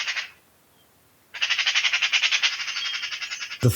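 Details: Eurasian magpie (Pica pica) caught at night by a trail camera near a fir tree and compost heaps in a suburban garden, giving a harsh, dry chatter: a short burst, a pause, then a longer grating run at about seven notes per second, ending in a knock.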